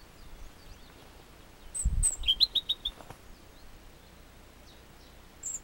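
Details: A European robin (Erithacus rubecula) on a trail from Chamorga, Anaga, Tenerife, sings a brief, thin phrase of high notes and a quick run of five sweet notes, over steady outdoor hiss and a few low thumps.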